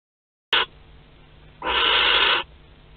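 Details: Barn owl at a nest in Théding, 31 March 2021, as a live wood mouse is delivered: a short harsh hissing burst, then a longer rasping screech of almost a second, broad and noisy, over quiet background hum.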